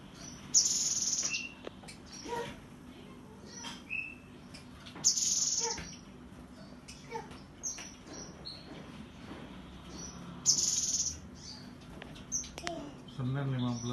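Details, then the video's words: Cinereous tit, recorded Monday 15 September, giving 'tembakan' bursts: three loud, very high, buzzy rattling phrases about five seconds apart, with scattered sharp chirps and short whistled notes between them over a low background hum. "TEMBAKAN GELATIK BATU!!!!!!"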